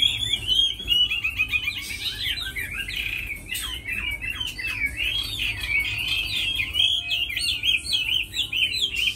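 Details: Tame Chinese hwamei kept as a fighting bird and praised as a fine singer, delivering a rich, continuous run of rapid, varied whistled and slurred phrases, with sharp downward notes and occasional harsher chatter throughout.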